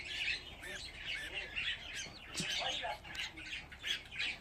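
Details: Budgerigar chicks, fifteen of them together, fill the air with raspy squawks and bursts of chirping that rise and fall in loudness through the whole stretch.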